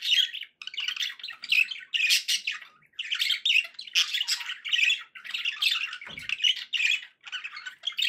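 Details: Pet budgies chattering happily: rapid, rhythmic bursts of scratchy warbling and chirps, almost without pause, with a single soft low thump partway through.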